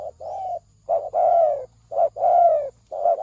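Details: Spotted dove cooing as a trapping lure: paired phrases of a short soft coo followed by a longer, slightly falling croo, repeated about every second with brief gaps, over a faint low hum.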